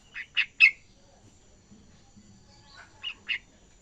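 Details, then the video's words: Yellow-vented bulbul youngster learning ngacor singing utters three loud chirps, then after a pause a softer, lower run of three to four notes. "anak trucukan belajar ngacor"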